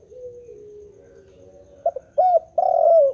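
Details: Soft faint cooing at first, then a spotted dove close by gives a short note and two fuller coos, the last one long and falling.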